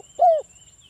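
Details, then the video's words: A single short, mellow coo from a local spotted dove, sliding gently downward, taken from a lure recording of 'ngalas'-style song meant to make other doves call back; quiet hiss afterward. "SUARA BURUNG TEKUKUR ini PANCINGAN TEKUKUR suara Ngalas"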